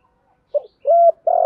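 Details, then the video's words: Female spotted dove used as a lure bird: a brief soft introductory note followed by a sustained, level, hollow coo and the start of another steady throaty coo. "Tiếng chim cu gáy mồi giọng lôi cuốn hấp dẫn đủ bài[ THÚC GÙ , GÁY GỌI ] dùng kich bổi nhanh nổi"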